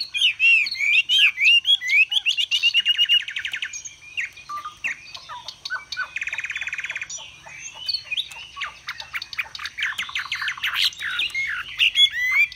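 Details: Chinese hwamei, a caged songbird in Vietnam, displaying and singing high and long. Rich, varied song of looping whistled phrases, broken by two dense buzzy rattles and later bursts of rapid repeated notes.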